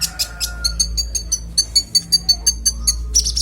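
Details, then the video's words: Konin song for songbird training with a clear voice: evenly spaced, ringing high notes repeated about five times a second, with a faint lower steady tone in the background. "Konin bongkar isian suara jernih"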